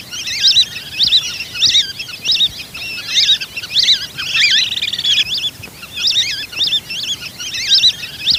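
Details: Lure recording of whistling duck: loud, twittering whistled phrases of looping high notes, coming in irregular bursts roughly every half second to one second, with no other clear sounds.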